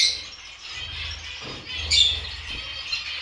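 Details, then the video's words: Kept Gouldian finch giving a continuous thin, high twittering with brief squeaky accents, over a faint low background hum. "MY GOULDIAN FINCH"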